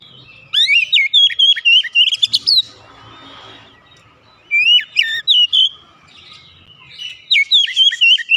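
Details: Oriental magpie-robin song, played for a home-kept bird that is slow to sing: three phrases of loud, rich, warbling whistles, each about one to two seconds long, with short quiet gaps.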